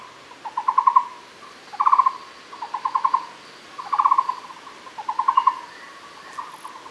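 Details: Muller's barbet (Megalaima oorti) at Fushan, Taiwan, gives low, hollow, pulsed phrases near one pitch, each about a second long, repeated almost without pause six times in steady rhythm.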